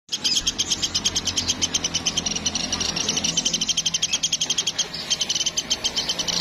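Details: Platuk woodpecker from Sampit, recorded for songbird training: dense runs of sharp, high, chattering notes broken by short pauses, with a low rumbling hum underneath.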